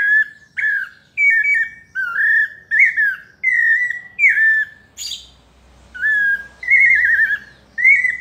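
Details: Pale-breasted thrush in 'paulista' melodious song, whistled phrases in sequence broken by a brief harsh burst, then a quavering, trilled whistle and more clear notes; faint low hum behind.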